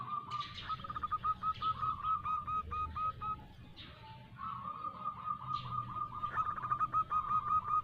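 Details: Local female zebra dove calling to a male as a lure. Fairly soft runs of quick repeated coos in two phrases over a noisy background hum with scattered higher sounds.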